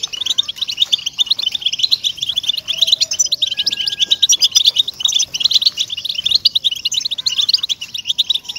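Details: European goldfinch song played to motivate captive goldfinches to sing: a dense, continuous, rapid twittering of high tinkling notes and trills, with faint lower whistles underneath.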